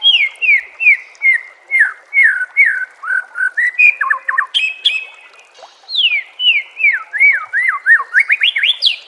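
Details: White-rumped shama master song for training caged birds: long series of loud repeated downslurred whistles, a short pause, then rising and falling whistled notes.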